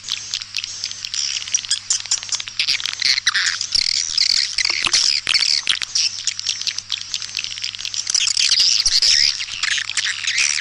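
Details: East Kalimantan lure recording of white-nest swiftlets for nest houses: continuous chattering mass of sharp, buzzy chirps and short whistled notes, with a steady low hum underneath.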